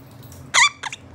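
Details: Pet monk parakeet, or Quaker parrot, indoors and enjoying being scratched, gives one short harsh chirp and then a briefer, softer double chirp a quarter second later, over a quiet room hum.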